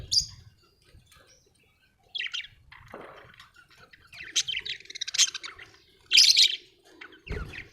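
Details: Budgerigar, an Australian bird, chirping: scattered short bursts of harsh, buzzy high chatter and squawks separated by pauses, a quiet start, then denser broadband bursts toward the end.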